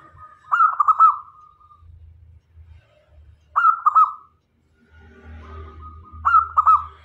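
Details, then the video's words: Zebra dove, a local perkutut kept as a lure bird to draw in other doves, male and female. The bird gives a fluttering, purring coo phrase about every three seconds, each ending in a drawn-out steady note, over a low hum. "Perkutut Lokal Gacor Cocok Untuk Jadi Pemikat - Perkutut Jantan dan Betina Pasti Mendekat"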